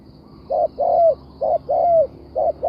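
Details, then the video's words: Mellow repeated cooing of a spotted dove used as a decoy in bird trapping: a brief coo, then a longer smooth note that trails slightly downward, the pair recurring steadily. "The Sound Of Spotted Dove"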